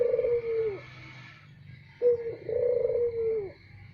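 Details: Loud luring coo of a Barbary dove for attracting other doves, the tail of one long rolling coo, a pause, then a full phrase of a short note plus a drawn-out coo; steady faint hum underneath.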